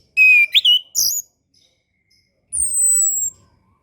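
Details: Orange-headed thrush song meant to coax young or reluctant birds into singing: a quick run of whistled and bent notes, then after a pause a long, thin, very high whistle sliding slowly downward.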